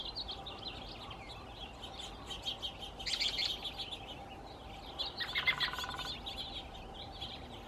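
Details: Male American robin calling within a flock of about a dozen in California, with many similar groups nearby: dense, high, thin chirps overlapping steadily, and a Nuttall's woodpecker drumming on a telephone pole in a rapid burst midway.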